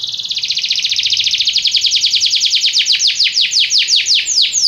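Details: Belgian canary singing to teach other canaries, starting with a dense buzzy roll that gradually opens into clearly separated, repeated falling whistled notes.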